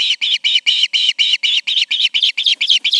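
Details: Evening calling from one of two ospreys at the Charlo nest, August 20, 2019: a steady burst of about fourteen shrill, slightly slurred whistles in three seconds.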